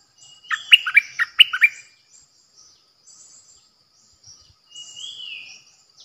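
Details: Decoy bulbul recorded 8 May 2021: a quick bubbly phrase of six or seven downslurred notes, then silence and a soft, long, slurred whistle.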